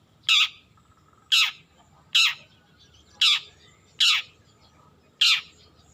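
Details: Juvenile long-tailed shrike practising song, uttering six harsh rasping notes that slur downward, spaced roughly one second apart, with little other sound.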